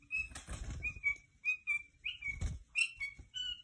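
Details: Tame white-eared bulbul kept as a pet, uttering short clear whistled notes at a steady pitch, spaced irregularly, mixed with low fluttering thuds of wing movement.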